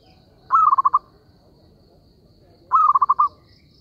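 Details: Zebra dove call used as a trapping lure: two soft rolling coos about two seconds apart, each a held note breaking into four or five quick pulsing notes, over a faint high steady hum.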